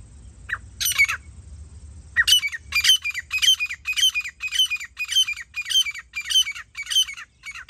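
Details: Grey francolin, jungli teetar, during partridge hunting; loud ringing call of repeated harsh high notes, about two per second, rhythmic and steady after an opening pause, in a quiet outdoor setting.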